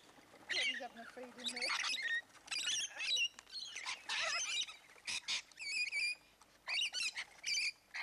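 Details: Hundreds of rainbow lorikeets gathered in Lane Cove National Park: harsh, shrill screeches and chattering squawks pour out in dense overlapping bursts, with brief gaps between outbursts and a faint low human voice early on.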